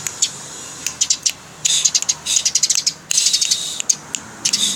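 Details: House sparrow chattering in clusters of harsh, scratchy chirps broken by short pauses, recorded as a master track for training songbirds; the denser bursts come in the middle of the clip.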